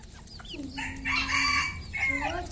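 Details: Red junglefowl on a farm in Cambodia. A drawn-out, harmonically rich crow swells and holds for nearly a second, then a shorter rising final note follows. Light chirps of small birds come before it.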